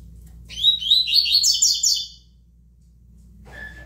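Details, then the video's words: Double-collared seedeater, known in Brazil as coleiro, singing in the tui tui style: a quick high twittering phrase of linked, rising and falling notes lasting about a second and a half, followed by one short faint note. "COLEIRO TUI TUI"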